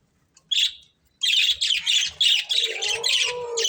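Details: Budgerigars from a breeding pair giving a short chirp, a pause, then a rapid string of harsh, squawky chirps with a lower nasal tone underneath.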